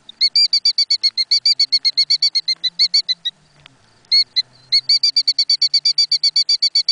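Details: A mother Killdeer defends her nest with wings flaring, calling very loudly: rapid, high, piercing notes about four a second in a long excited string, with a brief pause before resuming.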